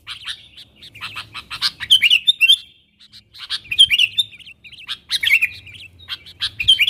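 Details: Sooty-headed bulbul calling to its wild companions as a lure, with clusters of sharp clicks and bubbling, warbled notes repeated in three bursts, over a faint low hum.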